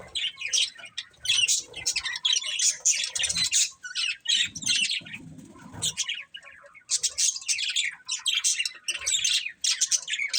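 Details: Budgerigars, a breeding pair, chattering in bursts of harsh, scratchy chirps and warbles separated by brief gaps, with faint low rustling in the middle.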